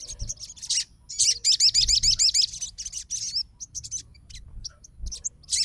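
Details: A sogon fighter reacting right away to the song of another sogon: a run of sharp, high, looping whistled notes repeated rapidly, then sparser scattered chips, with soft low rumble underneath.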